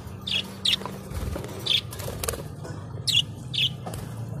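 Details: Budgerigar chirping: six bright, short, scratchy chirps come in loose pairs over a low hum, with a few soft knocks between them.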